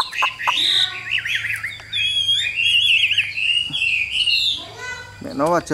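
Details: Chinese hwamei, a caged yellow-beaked bird noted for its fine voice, delivering a continuous rich warble of looping, rolling high phrases and slurred whistles, ending with a few harsher broadband notes.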